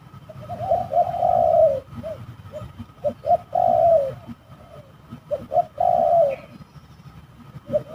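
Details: Spotted doves clashing at a rather spooky trapping site; long grating coos separated by short low notes in three main phrases, then quieter, against a steady low background hum.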